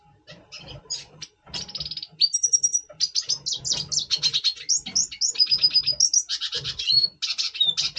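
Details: Double pastel red siskin singing in breeding condition before the breeding season, November 2023: dense, rapid twittering of high buzzy notes and short flat whistles, nearly continuous, with faint low background hum.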